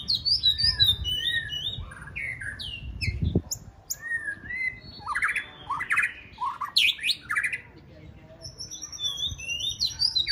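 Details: White-rumped shama, a contest bird, practising its singing for a singing competition: a rich, varied song of quick whistled notes, slurs and rapid trills shifting through many phrases, with faint low background rumble.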